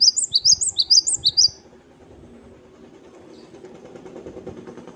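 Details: Great tit (gelatik batu wingko) giving its wucit wucit kristal song: about eight quick, piercing, high notes in an even run lasting under two seconds, then low rumbling background noise.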